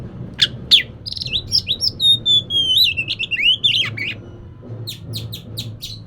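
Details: Oriental magpie-robin song played to lure a lazy bird into singing: two sharp notes, a long sweet warbling whistled phrase dipping and rising, then a rapid string of short chips, over a faint hum.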